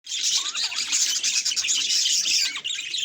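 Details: Pet budgerigar reacting to a mirror: dense, continuous high chattering and twittering with quick warbled notes that run without pause, plus a few rising whistles near the start.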